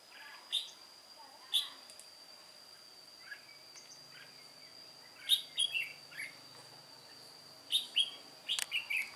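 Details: Red-whiskered bulbul, white-cheeked type, an old decoy singing alone during trapping on 1 July 2018; scattered short chirps, then clusters of three to four rapid liquid notes near the end, a constant thin high tone behind.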